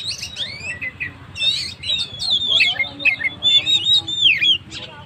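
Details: Oriental magpie-robin singing gacor to rouse stressed birds: clear whistled phrases with falling and rising slides, scattered chirps, and a long sweet trill toward the end.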